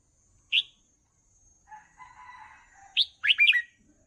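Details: Red-whiskered bulbul, used to teach young birds to sing: a single sharp note, a stretch of faint distant chatter, then a quick run of four slurred, bubbly whistles.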